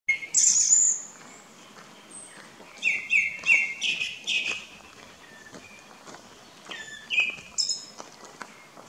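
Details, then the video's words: Grey-backed thrush singing clear, high whistled phrases in short bursts, some slurred and some rising, with brief pauses between them. "Gray-backed thrush/되지빠귀"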